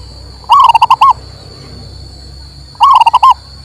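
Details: Song of a local male zebra dove, used to prompt a mute bird into singing: two bubbling phrases of a rising coo and a quick run of throbbing notes, with a constant high tone behind.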